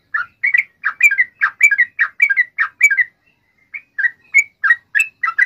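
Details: Sooty-headed bulbul in active song for luring others into reply: a run of paired, slurred chirps, a short pause, then more repeated warbled notes.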